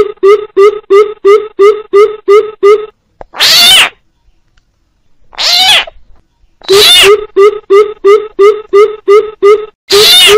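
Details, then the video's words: Coucal calls with frog calls, used to lure birds into traps; quick series of deep hollow notes at about three per second, then loud harsh bursts separated by silence, then the hooting resumes. "TIẾNG BÌM BỊP KÈM TIẾNG NHÁI KÊU DÙNG ĐỂ BẪY THÒNG - CHIM BÌM BỊP MỒI"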